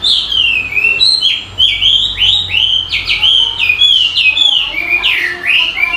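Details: Bird singing a loud, fast run of whistled, sweeping notes that slide down and up, repeated almost without pause across the whole stretch, over a quiet low hum.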